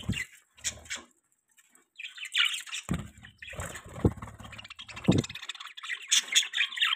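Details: Parakeets giving warbled, scratchy chatter and squawky chirps in irregular bursts, mixed with low knocks and rustling.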